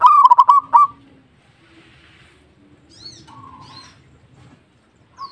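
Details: A single loud local zebra dove phrase opens with rapid, bubbling low coos and ends in a short trill. Near silence follows, with a fainter, more distant dove phrase and a few soft chirps.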